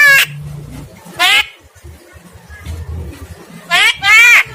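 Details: Javan myna singing in an energetic display called bido kelik: loud harmonic whistled bursts, some falling in pitch, separated by quieter low background noise.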